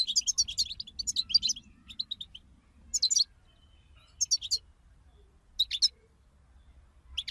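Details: Bitbita chorus of European goldfinches, used to stimulate another goldfinch into song: a fast tinkling, buzzy twitter at first, then separate bursts of liquid chattering notes roughly every second or so, with quiet between.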